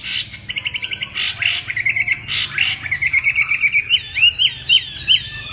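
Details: A Chinese hwamei sings a special warbling song. Quick chattering trills lead into a steady row of clear, looping whistled notes, roughly two each second.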